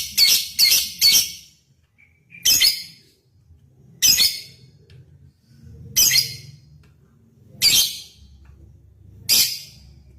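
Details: Lovebird calling a rival, recorded as a lure to make other lovebirds sing: a fast triple burst of shrill chips, then single harsh high chirps repeated about every one and a half to two seconds.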